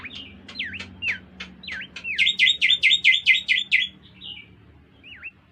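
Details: Oriental white-eye song: sliding whistled notes, then a fast burst of about ten bright repeated notes that fade into a final swooping whistle.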